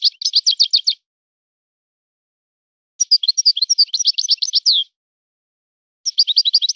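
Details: European goldfinch singing in a song style modelled on a particular breeder's birds: three bursts of rapid, high twittering notes, each about a second or two long, separated by silent pauses.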